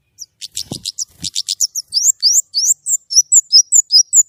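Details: White-rumped shama singing clearly: a fast run of sharp, high chirps, then rising and falling whistled slurs repeated about twice a second, with a couple of low thumps early on.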